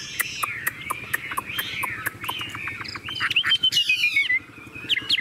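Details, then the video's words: Caged tame Chinese hwamei singing while its cage is hand-carried and shaken: soft warbled phrases and slurred whistles around mid-high pitch, with rapid clicking ticks throughout and a louder descending whistled phrase near the end. "Họa mi thuần điện căng đét - Xách tay lắc lồng hót đỉnh"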